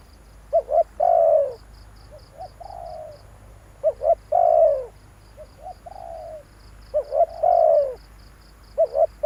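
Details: Spotted dove call for exciting decoy birds: loud phrases of two quick notes and a hoarse falling croon, answered between them by a softer, more distant dove giving the same pattern, with high insect pulses behind.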